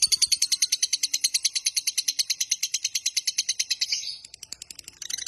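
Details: Lovebird singing its long trill, used to lure and train lovebirds: a steady, fast series of piercing, buzzy notes for four seconds, then fading into a few softer chirps.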